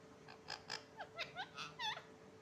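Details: Parrot talking: a quick run of about eight short, speech-like syllables in under three seconds, some sweeping up and others down in pitch, over a steady faint electrical hum.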